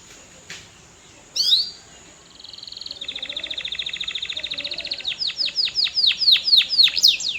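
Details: Canary song starting with a brief sharp burst, then a long fast rattling trill that builds in volume and breaks into rapid loud descending whistles repeated several times a second.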